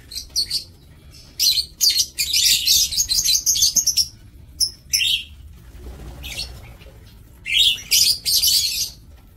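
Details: Aviary lovebirds kept for breeding calling in rough, high, shrill bursts of chatter, some short and some lasting over a second, separated by brief pauses, with a low background hum.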